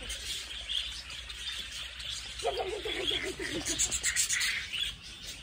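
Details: A crowd of budgerigars in a walk-in bird cage at a children's zoo in Yokohama, Japan, keeps up a busy wash of high chirps and warbling chatter, with a lower burbling run of notes partway through.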